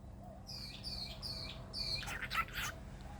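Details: Pet cockatiel vocalizing as its owner talks to it, giving four quick repeated chirping notes, then a burst of harsher scratchy chatter.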